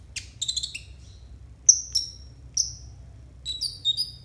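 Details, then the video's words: Konin singing as a training recording for untrained konin birds: a quick twittering flurry, then loud, sharp high whistles spaced about half a second apart, ending in a jumbled chatter of notes. "TERAPI AMPUH UNTUK BURUNG KONIN 100% COCOK BUAT MASTERAN KONIN BAHAN"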